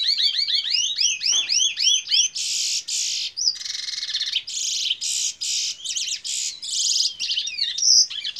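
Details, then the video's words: A locally bred Fire Red mule (canary x red siskin hybrid) from Princes Town, Trinidad, singing the bullfinch role, gives a fast bright song: rapid rising whistles, then dense buzzy trills and rattling phrases, all high-pitched. "Fire Red mule (canary x red siskin)"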